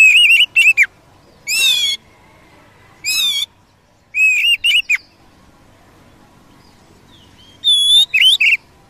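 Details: Wild Oriental magpie-robin, used to provoke a kept bird, singing loud separate phrases of warbled and quavering whistles with brief harsh notes, spaced by silent gaps of about a second.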